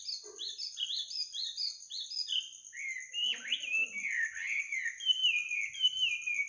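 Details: Bird singing at midnight: a fast series of bright, downslurred chirps, then lower warbled, rising-and-falling phrases, over a steady high-pitched whine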